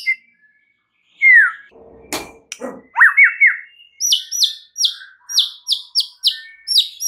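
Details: White-rumped shama song used as a provoking lure: a falling whistle, then a knock, then slurred rising notes leading into a fast string of repeated high, sharply downslurred chips.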